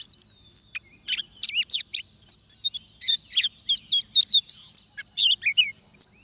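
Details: Trapping recording of an oriental magpie-robin: fast runs of high whistles, chattering notes and a dense rasping burst, delivered in closely spaced phrases over a quiet background.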